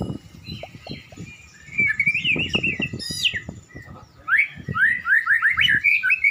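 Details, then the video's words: Caged white-rumped shama, a prized contest bird warming up before a singing competition: clear whistled phrases, then a fast run of rising slurred notes, over low thumps and handling noise. "murai batu pemanasan sebelum lomba"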